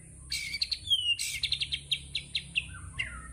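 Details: White-rumped shama (murai batu) delivering a tembakan burst of sharp, high, clipped notes. Roughly a dozen quick strikes come at uneven spacing and close with a lower slurred phrase over a faint high hiss.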